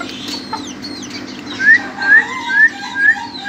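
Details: A young Ayam Ketawa (laughing chicken) crows four loud, clipped, rising notes in quick succession, about two a second, over a low hum and scattered high chirps from other birds.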